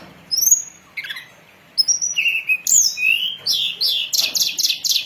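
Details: Hill blue flycatcher song used as a lure for catching and training birds: high thin whistles, sliding rising notes, then a fast run of buzzy repeated chirps at the end.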